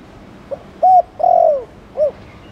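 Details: Spotted dove, Thổ Đồng type, coo used to stimulate newly caught doves to coo, Chiêu and Gù styles: one phrase of a faint opener, a steady hoot, a drawn-out falling coo and a short rising-falling note.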